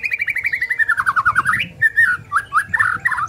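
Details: White-rumped shama lure song to make other shamas sing: a rapid descending series of slurred notes rising again at the end, followed by rich warbled whistled phrases over a low rumbling background.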